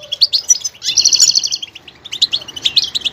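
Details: Goldfinch varying its song: quick chattering chirps, then a sustained fast buzzy trill lasting about half a second, resolving into more scattered bright tweets.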